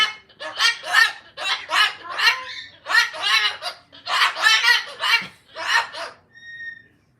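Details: Angry pet cockatoo, living among rescued and rehomed parrots in a house, screeching in a run of harsh, raspy squawks, roughly nine loud bursts over seven seconds, closing with a brief thin whistled tone.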